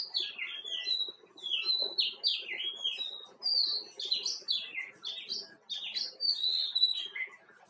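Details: White-cheeked bulbul, also called Himalayan bulbul, singing bright, fluttering phrases of quick up-and-down whistled notes, several short bursts in close succession with brief pauses between them.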